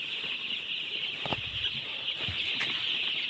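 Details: A crowd of baby chickens peeps continuously in a shrill, high chorus; a few sharp clicks and low knocks sound around the middle and a distinct tick near the end.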